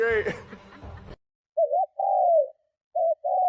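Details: Spotted dove giving strong lure cooing meant to provoke other doves. A person speaks at the start, then two low phrases follow. Each phrase is a short broken double coo and a longer, smooth, falling coo.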